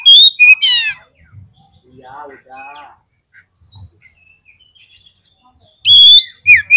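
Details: Oriental magpie-robin song played to provoke fighting birds: a loud burst of sharp whistles and rasping notes opens it, then a quiet stretch with soft scratchy chatter and faint whistles, before loud slurred whistling returns at the end.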